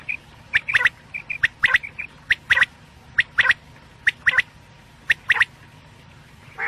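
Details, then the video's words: Night-time quail calls: crisp doubled clicks repeating roughly every second, interspersed with faint short piping notes, over a quiet steady background hum. "quail sounds/ batair ki boli | Batair ki Awaz rat k lia"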